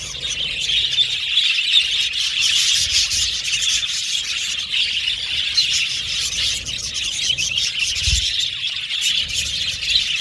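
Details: Many budgerigars chirping together in a continuous, shrill warble of overlapping twitters and squeaks, even in level, with a faint low thump around the eighth second.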